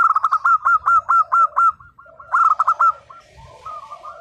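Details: Local zebra dove singing energetically in the nembak style: quick runs of loud, clipped cooing notes, about seven in a row, then a pause and a second burst, with softer cooing from other doves underneath.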